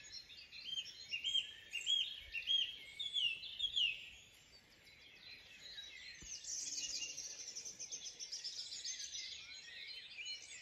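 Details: A dawn chorus of many birds on a farm in County Kilkenny, Ireland, recorded before the bats went to bed, with clear high whistles over a dense, overlapping layer of chirps and trills.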